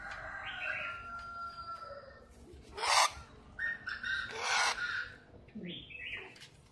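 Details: Black francolin (kala tetar) calling: harsh, rasping broadband bursts near three seconds and again between about three and a half and five seconds, mixed with thinner whistled and tonal notes from other birds.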